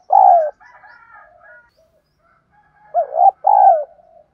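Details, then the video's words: Kích bổi coo of a spotted dove (cu gáy), meant to provoke fighting coos. A long descending coo, a stretch of soft muttered notes, then a closing phrase of a hooked coo and a drawn-out slurred coo. "Tiếng chim cu gáy Thúc đấu gáy kích bổi cực nhạy, Chim cu gáy kích bổi mở lên gáy liền"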